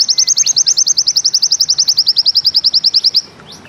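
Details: White-eye 'ziperrr' trill in Bustomi style: about thirty sharp, high chips delivered very fast and evenly, stopping abruptly before a brief quiet end.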